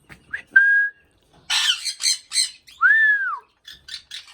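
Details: Indian ringneck parakeet, a talking pet parrot, giving short clear whistles, a burst of harsh speech-like syllables, then a long arched whistle and further chattering notes.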